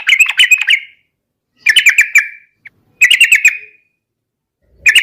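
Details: Yellow-vented bulbul, singing as a lure to set other birds singing in the 'gacor garuda' manner: short bubbling phrases of five or six quick notes, each ending in a drawn-out whistle, repeated about every one and a half seconds.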